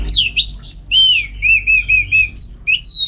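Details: Orange-headed thrush kept at home, singing loudly: a lively string of clear, slurred whistles, several similar notes repeated in steady rhythm, ending with higher rising and falling whistles.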